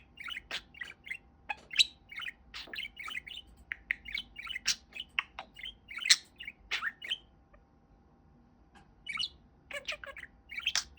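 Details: Fluffy male pet budgerigar, a talking bird kept indoors, giving a steady run of high, scratchy chirps and warbled clicks in quick bursts, falling silent for about two seconds before resuming.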